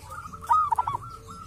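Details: Wild local zebra dove (perkutut) recorded at a sacred grave site, said to have a distinctive voice; a short burst of soft, rolling cooing notes near one pitch, with faint background hum.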